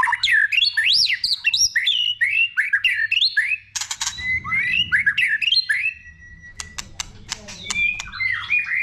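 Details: White-rumped shama singing many varied phrases, a recording meant to excite other shamas: fast zigzag whistled notes climbing and falling, a brief rasp, then looping whistles mixed with sharp clicks.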